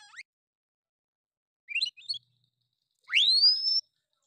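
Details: Oriental magpie-robin, loud 'nembak' style song meant to stir other males. Sparse: brief high chirps, a short cluster of twittering notes, then one long, strongly rising whistle that levels off.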